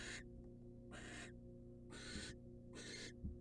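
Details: Wild female barn owl in a monitored nest box, receiving a rat from the male: four harsh, hissing screeches, each short and broadband, spaced about a second apart over a steady low electrical hum.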